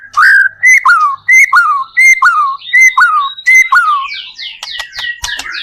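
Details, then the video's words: White-rumped shama lure song to get other shamas singing: a clear whistled phrase falling in pitch repeats about once a second, then gives way to quick descending high sweeps and sharp clicks. "PANCINGAN murai batu gacor AMPUH BUAT MENDONGKRAK MURAI BATU MENJADI CEPAT BUNYI"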